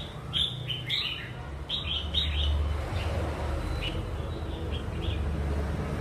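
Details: Red-whiskered bulbul, a wild-caught bird noted for singing often, delivers a lively series of bright warbled notes in the first two seconds, then softer scattered phrases, with a constant low rumbling hum behind.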